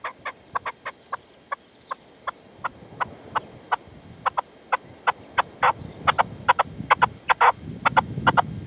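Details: Partridge calling with a decoy (reclamo) at sunset in the sierra, Manzanares, 27 February 2014; sharp, grating notes spaced at first, then quickening into a dense run of chuckling calls toward the end.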